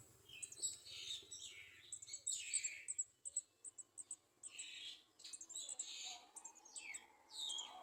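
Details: Garden sunbird adults feeding chicks at the nest; rapid high squeaky chirps and short buzzy begging bursts, many brief notes in quick succession with gaps, faint low hum beneath.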